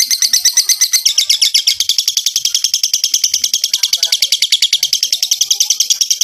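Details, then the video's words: Lovebird ngekek used as a singing prompt for other lovebirds: a fast, uninterrupted, shrill rattling trill of evenly pulsed high notes lasting the whole six seconds. "PANCINGAN LOVEBIRD NGEKEK PANJANG AMPUH BIKIN LOVEBIRD IKUT GACOR"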